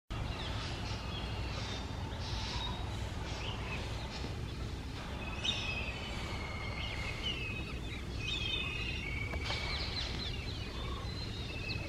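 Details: A hair-crested drongo (Dicrurus hottentottus) calls with a mix of clear whistles, sliding notes and twangy metallic chips, over a steady low rumble of wind or distant traffic.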